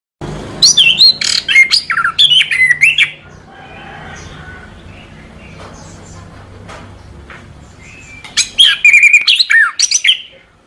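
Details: Orange-headed thrush song for training: two bursts of rich, varied whistled phrases with sliding notes, separated by a few seconds of low hum and faint background noise.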